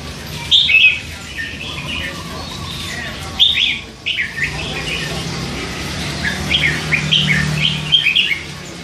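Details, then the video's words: Caged three-month-old hand-fed red-whiskered bulbul that chatters all day and lets slip song phrases: bright chirps at the start, quieter mumbling, then a run of quick rising notes near the end. "นกกรงหัวจุก ลูกป้อน 3 เดือน ปากเบาสุดๆ"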